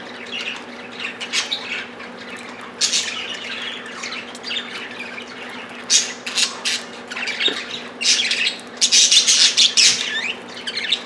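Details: Competing for millet, pet budgies give scattered scratchy chirps that build into bursts of loud, harsh squawks, with a rapid run of shrill calls near the end.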